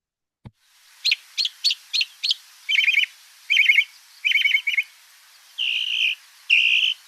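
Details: Northern mockingbird song, a mimic that repeats each phrase several times before moving on: five sharp high chirps, then three buzzy trilled phrases, then two longer steady whistled notes, all high-pitched and clean.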